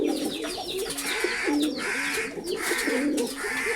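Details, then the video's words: Repeated short, burbling coos from pigeons sit under steady bursts of high, buzzy chirping from a crowd of birds. "Pigeon Sound Effect || কবুতরের ডাক"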